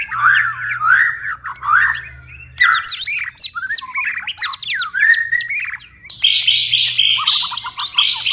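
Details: White-rumped shama singing at night, a varied medley of whistled, chattering and mimicked phrases changing every few seconds, ending with a harsher rapid sequence.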